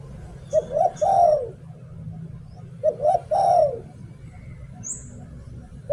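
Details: Caged spotted dove kept as a decoy bird in Thailand, singing in the "หลิ่วตัน" style: two mellow, low cooing phrases, each of short rising notes followed by a longer drawn-out falling coo, about two seconds apart, over a low background hum.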